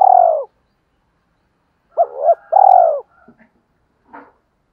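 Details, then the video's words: Decoy spotted dove calling to lure wild doves: one long falling coo, a pause, then a quick double note and a drawn-out descending coo, followed by faint soft clicks and a brief muffled note. "tiếng chim cu gáy kích bổi nhanh nổi hiệu quả"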